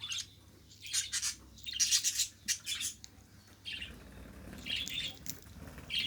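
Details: Captive budgerigar producing quick clusters of harsh chirps and buzzy squawks, then softer warbled notes, repeated in irregular bursts against a low background hum.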